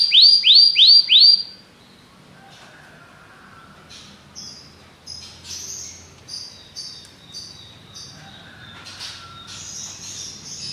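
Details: Belgian canary song opening with a quick run of loud, high, downward-sweeping whistled notes that stops abruptly after about a second and a half, followed by faint scattered chirps over quiet background noise.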